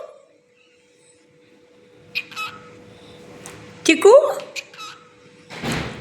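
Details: Pet cockatiel called Chikku gives short, scratchy, speech-like phrases (heard as "tickle tickle") and a rising whistled note over a steady indoor hum; it answers back when spoken to at whistling time and uses three kinds of voice.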